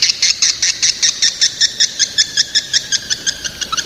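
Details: Young swiftlets calling: a steady series of short, bright, high chirps, each a buzzy double-banded note, repeated roughly two to three times per second for the whole stretch, with quiet background between notes.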